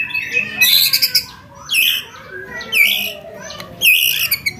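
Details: White-rumped shama, a contest bird, in a training recording of 'roll tembak' material: loud harsh buzzy bursts at high pitch in about four groups, each ending in rising rasping notes, with a faint low hum beneath.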